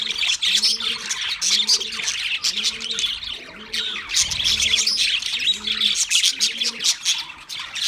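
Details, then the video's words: A flock of pet budgerigars keeps up an energetic high twittering and squawking song, with soft low hooting notes repeated steadily about every 0.7 seconds beneath and a short low rumble midway. "Singing Sounds My Budgies Birds"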